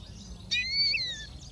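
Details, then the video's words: Yellow-fronted canary, Serinus mozambicus, gives a single bright whistled phrase just under a second long. It starts abruptly, holds high, then slides gently downward, over a quiet background. "Yellowfronted canary - Serinus Mozambicus - Beautiful Bird Chirping"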